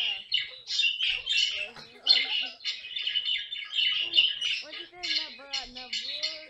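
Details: Pet caique filmed at home for funny moments; continuous raspy squawks and chattering calls, broken by quick whistled slurred notes toward the end, with voices faintly audible.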